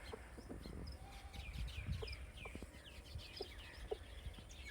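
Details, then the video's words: Farm baby chicks keep up quiet, high-pitched chirps, quick falling peeps scattered throughout, with a few low clucks and faint low-frequency background noise beneath. "Baby Chick Chirping Sounds"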